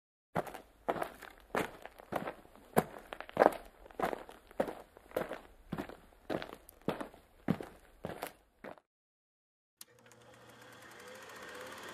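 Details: Footsteps crunch steadily for about nine seconds, then a short pause gives way to rising rushing noise, with no animal voice heard.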